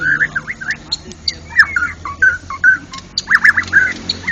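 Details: National champion white-rumped shama in energetic ngeplong song. Short fluty whistles and quick slurred notes come about twice a second, with a livelier cluster of warbles near the end.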